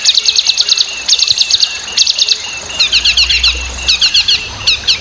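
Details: Very vocal Chinese hwamei, the wambi, used as a tutor for other songbirds: bursts of rapid, sharp repeated notes in tight clusters, alternating with twisting whistled figures, delivered almost without pause.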